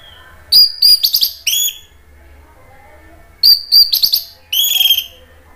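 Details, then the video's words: Two similar bursts of high, ringing, rapidly chattered notes from an Orange-headed thrush, separated by a pause, sung as a lure to get other thrushes to answer back. "ANIS MERAH GACOR MATERI PEDES bikin NYAUT NGEPLONG ¦ PANCINGAN AM"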